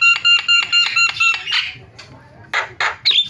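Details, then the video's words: Starling lure sound for getting silent starlings to call: a rapid row of nasal, ringing harmonic notes, a short pause, then two harsh bursts and a sharp rising whistle. "MASTERAN JALAK SUARANYA BIKIN JALAK PADA TERIAK"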